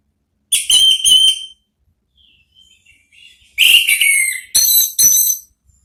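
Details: Orange-headed thrush therapy song for drawing out an answering bird, a loud buzzy whistled phrase, a quiet stretch of soft twitters, then a longer burst of rich, harsh notes.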